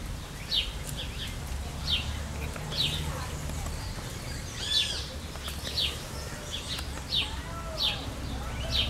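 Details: Maroon-bellied Parakeets bathing in hot Brazilian summer weather give harsh, scratchy chirps about once a second, over a steady low rumble of background noise.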